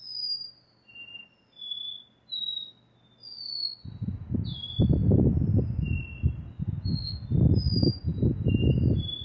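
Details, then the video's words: Double-collared seedeater singing the classic repeating 'dó ré mi' style song, described as pure melody: clear, high whistled notes, some level and some slurred, spaced about a second apart. From the second half, loud low rumbling and voices partly mask the song. "Caboquinho DÓ RÉ MI REPETIDOR canto clássico"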